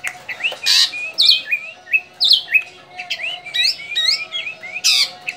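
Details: Javan drongo, a bird described as now rare and nearly extinct, giving a lively series of short upslurred whistles and chattering notes, some harsh buzzy bursts mixed in, repeated every half second or so over a faint steady hum.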